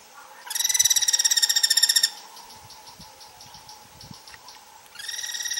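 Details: Guira Cuckoo delivering a loud, rapid rattle of buzzy pulsed notes for about a second and a half. A fainter pulsed stretch follows, then the rattle starts again near the end. Very little background noise.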